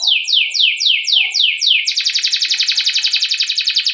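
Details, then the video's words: Canary singing to lure and train other canaries: six evenly spaced descending whistled swoops, followed by a very fast, even rolling trill. "Masteran Suara Burung Kenari Ngerol Panjang cuit cuit untuk Pancingan Kenari"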